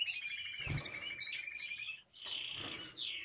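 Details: Spanish timbrado canary singing for song training: a steady high pulsed trill, then sharp descending whistled sweeps, interrupted by two dull knocks like something tapping the cage.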